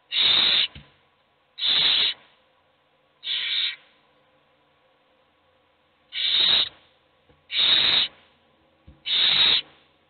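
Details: Begging owl nestlings, hungry and competing while only one is fed, give six rasping hiss-screeches, mostly about 1.5 seconds apart, with one longer gap midway.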